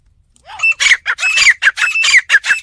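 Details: Fighting partridge from a village, with a soft rising whistle and then a dense run of loud, rasping, repeated notes. Each note has a sharp ringing accent.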